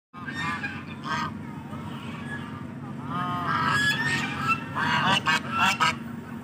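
Geese give loud, nasal honks in uneven bursts, some overlapping, against a steady low rumble of background noise.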